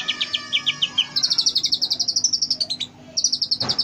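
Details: Oriental magpie-robin master song rich in fill-in phrases, used to train caged birds: a run of quick repeated high chips, then a long fast buzzy trill held high, ending with a short repeated burst.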